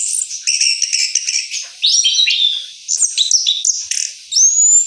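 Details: Orange-headed thrush, a kept bird after its moult, delivering a rolling song: rapid varied high phrases of chirps, trills and sweeping whistles, with a rising slurred whistle near the end.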